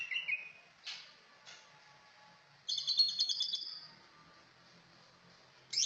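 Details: Cucak ijo delivering scattered high notes and short bursts, then a rapid, dense trill of very high chirps lasting about a second, with a brief phrase returning at the close.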